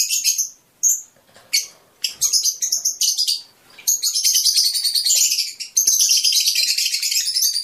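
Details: Fischer's lovebird song for stimulating mating: scattered sharp chirps give way to a long unbroken stream of fast, shrill twittering.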